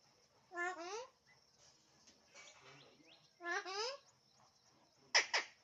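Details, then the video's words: Alexandrine parakeet talking: two speech-like wavering phrases separated by quiet mumbling, ending with a sharp, abrupt squawk. "Alexandrine parrot talking everything"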